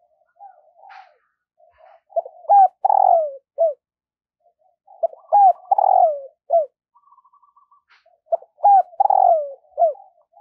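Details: Spotted dove used as a decoy, cooing in the morning to draw in wild birds. Three similar coo phrases, about every three seconds, each ending in a long falling coo, with soft twittering between.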